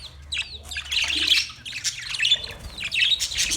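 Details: Budgerigars chirping in dense, high, scratchy chatter with overlapping twittering phrases and small whistled notes, swelling and fading across the recording.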